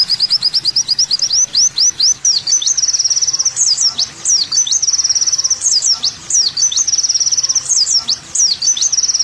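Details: Olive-backed sunbird masteran song: rapid chips open into alternating tight buzzy trills and sharp plunging whistles, the pattern recurring several times over nine seconds.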